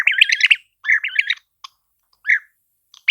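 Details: European Bee-eater giving its typical mellow, liquid, burry call: short rolling bursts of trilled notes in three or four separate phrases, with brief gaps and a single clipped note between them.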